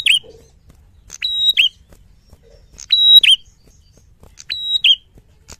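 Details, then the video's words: Loud fighter-style song of a Red-headed tit in a clear training recording: a cut-off phrase, then three full phrases of a level shrill whistle and a sharp downward flick, spaced about 1.6 seconds apart. "Prenjak Kepala Merah Gacor Fighter Lantang"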